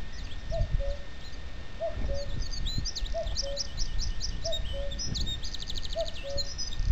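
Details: A common cuckoo at the Cap Fréhel heathland, France, on 21 April 2005, repeats its soft, falling two-note 'cu-coo' about every 1.3 seconds; higher songbirds chatter alongside over a low rumble of wind.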